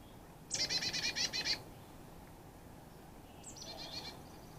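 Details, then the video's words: Carolina chickadee at a feeder stocked with shelled sunflower seeds in the Great Smoky Mountains, calling on arrival or departure: a one-second run of about ten rapid, buzzy, harsh dee notes, then a shorter, fainter buzzy run two seconds later. "Carolina Chickadee and American Goldfinch Calls"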